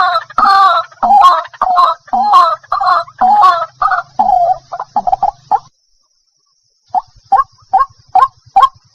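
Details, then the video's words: White-breasted waterhen making rough, honking croaks that quicken into clipped notes, then a short pause followed by a handful of sharp, evenly spaced calls. "dak pakhir dak.suara ruak ruak. waterhen sound.ডাউক পাখির ডাক ডাহুক পাখির ডাক"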